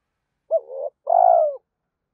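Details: Spotted dove cooing to excite other doves: a short wavering note followed after a brief gap by a longer, steady, husky falling coo.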